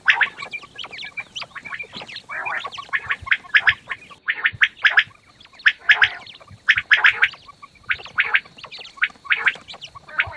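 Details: Several quail call in the morning, giving busy, harsh, chattering calls in quick repeated bursts that overlap one another with barely a pause.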